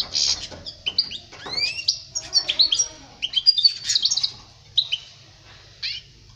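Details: European goldfinch song meant to teach young goldfinches: a brief buzzy opening, then sweeping upward slurs and busy twittering phrases, tapering off into a few isolated chirps toward the end.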